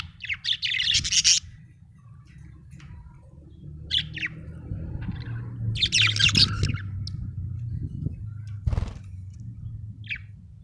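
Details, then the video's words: Happy budgerigar giving scattered chirps and short chattering bursts, loud at first, then sparse with pauses, over a steady low hum. "happy budgie chirping sound"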